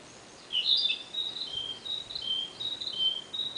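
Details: A Narcissus flycatcher sings its long song, opening with a loud rising whistled flourish, then continuing with a chain of clear high whistles alternating slightly in pitch.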